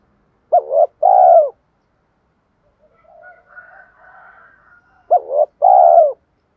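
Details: Spotted dove decoy giving paired coos, a wavering note followed by a longer purred coo, twice, with faint softer calls from another bird in the gap.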